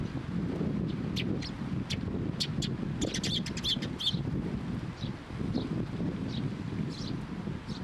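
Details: Sparrows coming to a post to be fed at a Tenmangu shrine on 5 May 2023, giving short scattered high chirps, clustered between three and four seconds, over steady low wind rumble.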